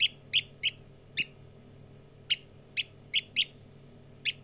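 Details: Partridge chick giving short, high chirped peeps, repeated at irregular intervals of roughly a third to one second, nine notes over a quiet steady background hum.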